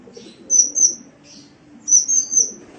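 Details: Sunbird song from a training tape for pet birds: two short pairs of very high, thin, sweet whistled notes, about a second and a half apart, with faint soft sounds between.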